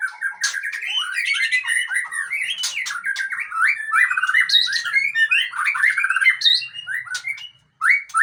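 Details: Aceh white-rumped shama, long-tailed type, singing continuously for eight seconds: dense, fast warbles, rolling trills and whistled slurs, with barely any gaps until a final short phrase.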